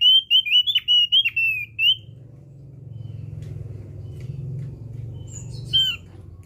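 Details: Used as a lure, Javan grey-throated white-eye song: a two-second flurry of fast, twisting whistled notes, then steady low hum with one brief downslurred whistle near the end.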